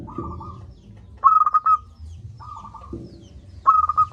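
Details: Zebra dove of local stock calling strongly, a lure for lazy singers: soft trilling coos alternate with loud bursts of clipped, staccato whistled notes, roughly every 1.2 seconds.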